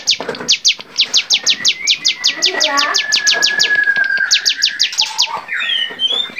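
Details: Bar-winged prinia on a songbird training recording, lively varied singing: a quick run of high downward-sweeping notes, about three per second, over a long thin level whistle, then a few softer warbled notes at the close.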